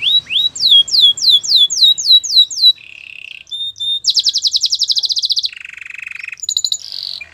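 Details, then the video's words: Training song from a canary: a series of falling whistled slurs, a brief buzz, a fast high rattling trill, then a lower buzzy roll and short high notes. "Your canary will not stop singing with this training song"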